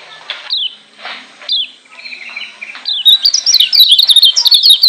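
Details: Lombok white-eye from Lombok singing a persistent ngotot-style tutor song meant to provoke other white-eyes; a few separate high, sliding chirps give way to a rapid, bright, continuous twitter of quick notes.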